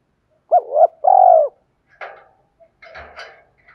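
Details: Spotted dove kept as a lure bird, giving a quick two-part mellow coo with a longer purring note, followed by scraping, rustling noises.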